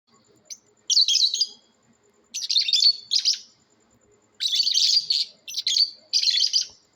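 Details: Lovebirds giving natural calls in a competition: shrill, buzzy chirp bursts in separate groups, the first near one second and then three further clusters with short silences between, in an otherwise quiet room.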